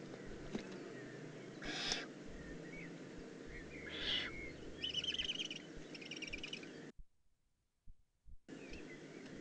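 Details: Eurasian eagle-owl juvenile, Eifel, 18 June 2016, uttering two hoarse hissing bursts about two seconds apart, followed by a rapid chattering of another bird, a brief silent gap, then faint background noise.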